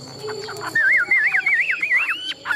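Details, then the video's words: Chinese hwamei held in a cage for competition singing, producing a rapid wavering whistled trill that rolls up and down in repeated loops, with faint background noise. "Họa mi thuần đét, Bộ to - Đấu hót rất tốt"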